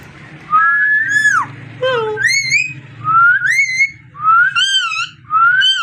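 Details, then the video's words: Parrot producing long, bright upslurred whistles, each rising then dipping, with one low descending note. The notes are spaced about a second apart over a constant low room hum. "Amazing parrot so cute talking and voice"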